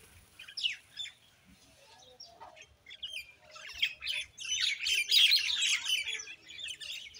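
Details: Common Indian myna chattering: scattered chirps at first, then a dense, continuous jumble of harsh, scratchy and squeaky notes building in the second half, with a faint low rumble beneath.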